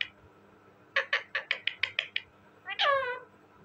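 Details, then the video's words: Talking parrot: eight short, evenly spaced chattering notes, followed by a longer harsh harmonic call that falls in pitch, over a faint background hum. "talking parrot bird,parrot ki awazz"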